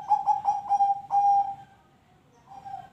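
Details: Zebra dove (perkutut) song, played to prompt other birds to sing: a series of rapid, soft, pulsed coos on a steady low pitch, ending in a longer drawn-out note, then a pause and a fainter coo phrase.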